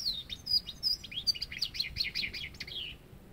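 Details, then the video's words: Goldfinch singing a quick run of sharp, descending twittered notes that speeds into a dense, liquid trill before fading, all high-pitched and bright. "Καρδερίνα | Goldfinch"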